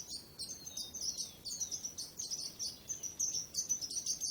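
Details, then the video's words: Bird chirping with some thin, downward-sliding whistles, heard over a constant low wash of outdoor noise. "Relaxing Birds Chirping Sounds | Relax With Singing Birds Sounds"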